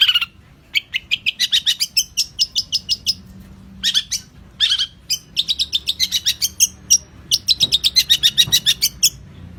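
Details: Long-tailed shrike song from a champion bird's training recording: varied bursts of quick, scratchy and whistled notes, shifting in pitch, delivered in short rapid strings with brief pauses.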